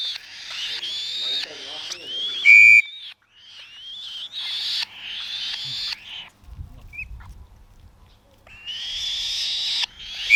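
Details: Young captive black-shouldered kite, 35 days old, during feeding: rasping wailing screeches in uneven bursts, one sharp steady beep, then a quieter stretch of low handling rustles before screeching resumes.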